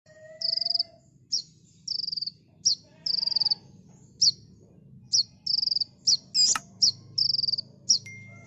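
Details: Olive-backed sunbird (kolibri ninja) in full, dense 'tembakan' song, a master recording for training cage birds: high thin buzzy trills alternating with sharp chipping notes, steadily repeated, over a low constant hum.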